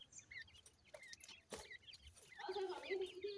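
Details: Female grey francolin feeding with chicks: scattered high wavering peeps at first, a sharp crackle midway, then a low, steady, murmuring cluck-like tone joined by more peeps.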